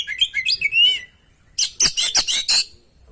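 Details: Oriental magpie-robin (kacer) singing energetically with fill-in phrases, as a lure recording: a quick warbled sequence of rising and falling whistles, a brief pause, then five or six loud harsh rasping notes.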